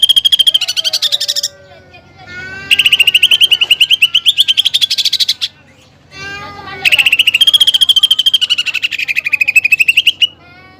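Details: Greater green leafbird singing hard with fighting-sparrow and woodpecker fill-ins, used as song material for other leafbirds: two long bouts of fast, stuttering high notes, with softer descending tones in the gap between them.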